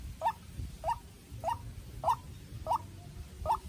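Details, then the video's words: White-breasted waterhen, a young farm-raised decoy bird facing off against a wild bird: a short, clipped note repeated about every 0.6 seconds, six times, over a low rumbling background. "Quốc Mồi Tơ Ra Trận Gặp Bổi Rừng Đấu Cực Căng"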